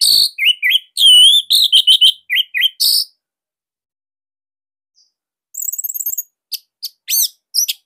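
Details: Orange-headed thrush from Bali, song offered as a master recording to coax young spotted or silent thrushes into singing; varied whistled phrases, sharp rising and falling notes, a fast trilled burst after a pause, then scattered high chips.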